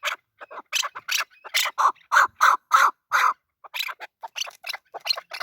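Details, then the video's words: Male chukar partridge calling in a fast series of harsh, loud chuck notes, bunched into a louder middle run, then quicker, thinner notes near the end. "Male chakor voice"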